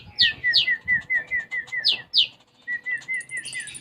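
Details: Lively sunbird song said to be filled with house-sparrow-style phrases: high descending chirps mixed with a rapid run of short, even mid-pitched notes, then a brief pause, more notes and a thin high trill.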